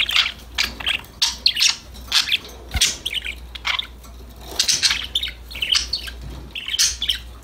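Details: Playful budgerigars talking to each other produce a steady stream of short, high chirps and warbled notes in loose groups, with a brief soft thump partway through.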